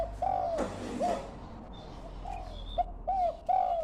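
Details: Low, bowed coo notes from a young dove learning its call, spaced irregularly, with a rustling thump early on and a faint higher whistle in the background.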